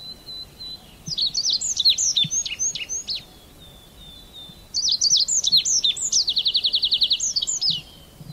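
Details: Red avadavat singing two phrases of sharp, high slurred chips, each ending in a rapid, steady buzzing trill, with short pauses filled by a faint thin whistle.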